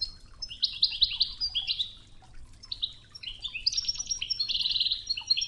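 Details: Goldfinch singing Oued-style Toughza song beside river water; repeated bright twittering phrases with rapid trills, a short pause, then a longer liquid chattering run.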